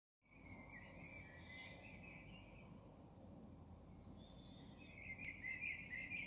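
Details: Common blackbird singing at 03:40: two mellow warbled phrases, each starting low and flowing, then ending in fainter high twitters, separated by a short pause over a steady low background hiss.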